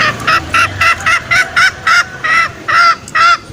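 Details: Trapping lure of green junglefowl meant to bring males out for snaring: around eleven short honking notes, the later ones longer and more spaced out, with a clear ringing tone.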